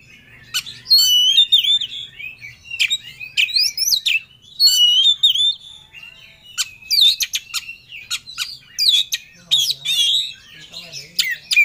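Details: Oriental magpie-robin singing in full emotion while seeking a rival: loud, varied whistled phrases and sharp chattering notes in bursts with short pauses, interspersed with broadband clicks.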